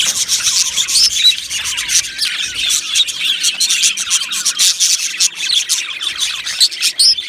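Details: Budgies kept as a colony in an aviary, singing and chirping in a thick high-pitched babble of rapid chirps and scratchy notes, the loudness pulsing but never stopping.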